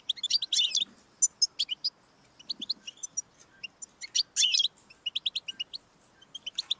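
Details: European goldfinch singing, played to stimulate a pet goldfinch: dense buzzy twittering bursts alternating with scattered high liquid chips and short trills, with soft background hiss.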